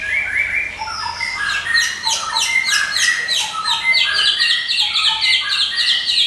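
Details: Nonstop song of a Medan white-rumped shama used as a training master: dense, rapid repeated chattering notes, several per second, layered high trills and sharper whistled accents throughout.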